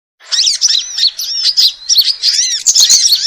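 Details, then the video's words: Bird lure recording mixing noisy small birds: prenjak, female sogon, kamande and a panicking kolibri manggar, meant to draw wild birds quickly; dense high twittering chirps and looping whistled slurs, continuous and overlapping. "Suara Pikat Burung Kecil Ribut"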